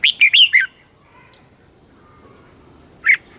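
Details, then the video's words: Red-whiskered bulbul of Thailand singing southern master-style song to excite birds and teach young: one quick phrase of four bright chirps, then silence and a single loud note. "เสียงนกกรงหัวจุก ร้อง ริก เปิดให้นกฟัง ยั่วให้นกคึกจัด chao mao hot"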